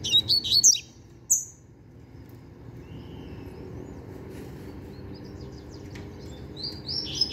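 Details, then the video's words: Young double-collared seedeater, a novice that has completed song tutoring, opening with a loud burst of rapid high twitters, one short high note, a quieter stretch, then renewed high chirping at the close. "Papacapim Novato Cantando Bitolado!!!"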